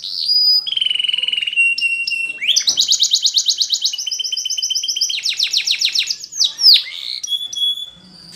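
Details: Spanish Timbrado canary singing for training: a long pure whistle, a lower steady note, then fast metallic trills and rattling bursts, ending in sharp downward sweeps and short high notes.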